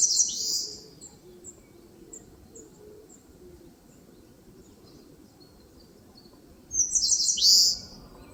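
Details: Eastern crowned warbler in a forest at the foot of Palbongsan, Seosan, Korea, giving two bright, very high song phrases about seven seconds apart, each a quick string of sharp notes ending in a descending buzz, faint chirps between.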